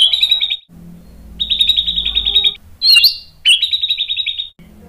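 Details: Excited white-rumped shama song used to trigger singing in other males: repeated buzzy trilled phrases on an even high pitch, each about a second long, broken by a sharp upward whistle.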